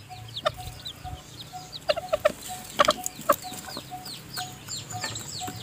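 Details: A mother hen feeds her newly hatched chicks in the nest; the chicks are still weak. Short, low hen clucks come singly and in clusters, some doubled, over softer high peeping from the chicks.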